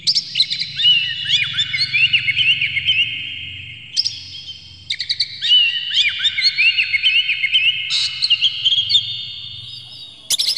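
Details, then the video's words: Oriental magpie-robin (kacer) in a full, varied song used to make other kacer sing; long sequences of fast chirps, trills and downslurred whistles in overlapping phrases, broken by several abrupt cuts. "dijamin kacer langsung ngamuk2 dengar kacer ini bongkar emosi buka ekor ngobra full isian"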